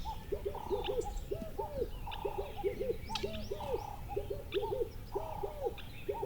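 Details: Several birds calling together: low arched hooting notes in quick pairs and triplets, overlapped by flat, steady mid-pitched tones, with occasional sharp high chirps and constant low background rumble.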